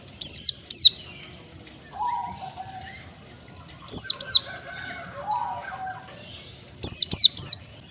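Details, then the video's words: High, sharp, downslurred white-eye chirps in pairs and trios, played to get caged birds singing freely, with lower warbled and whistled phrases in the middle and a closing cluster of three quick chirps. "Pancingan pleci agar cepat ngalas buka paruh, masteran pleci cepat ngalas"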